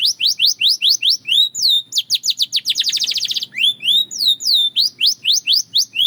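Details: Belgian canary singing: fast series of high down-slurred chirps repeated about four per second, a short buzzy rattle-like trill near the middle, then more quick descending notes; faint low room hum beneath.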